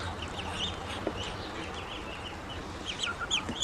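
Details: Ducklings that have grown and call more when hungry: sparse high thin peeps, clustering into a quicker run of chirps toward the end, over low steady background noise.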